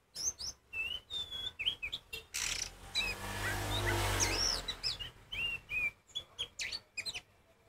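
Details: Kacer poci Oriental magpie-robin singing to provoke others. Sharp whistled slurs and chips, briefly masked midway by a loud rushing noise, then the song resumes with rapid high notes.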